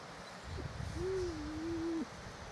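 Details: Female spotted eagle-owl watching over her territory: a brief soft low note, then one longer, deep, smooth hoot lasting about a second, over a low rumbling background.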